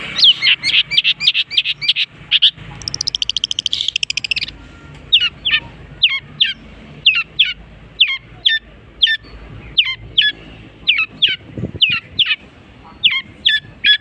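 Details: Long-tailed shrike singing and mimicking other bird species: rapid series of sharp high chirped notes, a brief buzzy rattling stretch near three seconds, then steady repeated chip notes about every half second.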